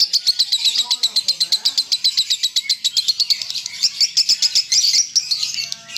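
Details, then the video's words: Lovebird singing in the konslet style known as leher patah, a fast stream of high chattering notes repeated about four times a second, with faint background voices. "LOVEBIRD KONSLET GAYA LEHER PATAH"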